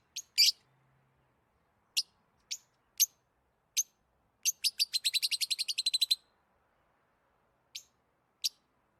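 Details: Lovebirds chirp in a quiet room: isolated sharp high chirps, then a rapid even series of about fourteen clipped notes, then more single chirps.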